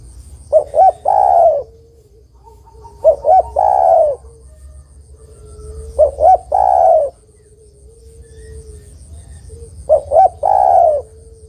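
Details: Female spotted dove calling a male, used as a lure for trapping. Three coos about two and a half seconds apart, each two short rounded notes and a drawn-out, slightly falling coo, with soft hum beneath.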